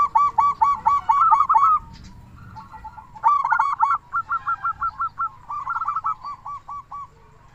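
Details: Local zebra dove calls used as a lure to make doves start calling and to stimulate quiet birds: rapid stuttering runs of short mid-pitched coo notes in two bursts of about eight to ten notes each, then a slower run of separate notes.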